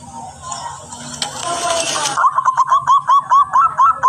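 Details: Local zebra dove, a frequent, very clear singer used as a lure bird. A loud noisy rustle fills the first two seconds, then about ten short, evenly spaced, rolling cooing notes follow at a mid pitch.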